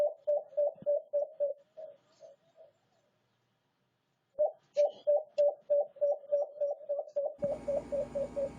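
A White-eared Brown Dove gives a quick run of low, hollow coos, about three each second, pauses, then starts another series; a burst of noise cuts in at the end.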